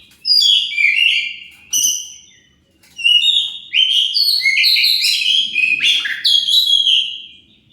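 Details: Oriental magpie-robin, used to provoke other birds into answering, delivers a loud, rich run of whistled phrases, sliding and warbling high notes in two bursts separated by a short pause.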